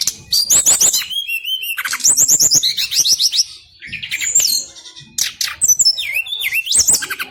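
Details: Brown-chested jungle flycatcher singing in a long rolling style: rapid varied phrases of high sweet whistles, trills and buzzy notes, with frequent pitch jumps and short pauses, loud and clear over a quiet background.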